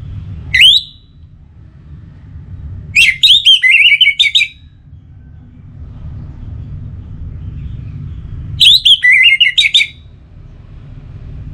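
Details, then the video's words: Orange-headed thrush (anis merah) pacingan song from Singaraja, Bali, to keep birds singing day and night: a single rising note, then two bursts of rapid descending warbled whistles several seconds apart, over low background noise. "Memacu Burung ANIS MERAH dengan Suara Pacingan Agar Selalu Berkicau Pagi Siang Malam TIdur"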